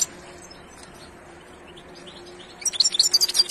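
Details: European goldfinch with a quiet, faint twitter at first, then a sudden loud burst of high, jangling twittering notes near the end.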